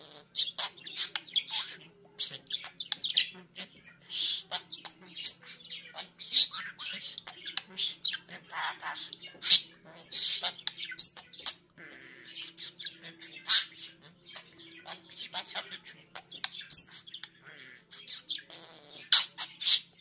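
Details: Pet budgerigar named Limon warbles a steady stream of high chirps, clicks and buzzy squeaks while singing and dancing.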